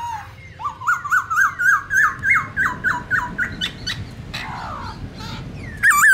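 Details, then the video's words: Black-throated laughingthrush in forest-style song for training young birds: a quick, steady string of short hooked whistles, several per second, trailing off before a loud final phrase. "Luyện khướu bạc má hót giọng rừng/Luyện khướu non học giọng rừng cực chuẩn"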